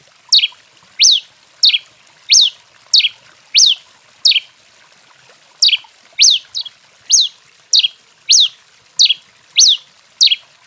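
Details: Rufous-collared sparrow singing hard in the 'canto 21' style, excited: a long steady series of about sixteen bright falling and arched whistles, roughly one every two-thirds of a second, with one brief gap midway.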